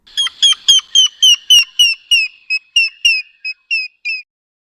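African Grey Hornbill giving a rapid series of about fourteen thin, piping whistled notes, each with a quick downward slur, slightly slowing and fading toward the end.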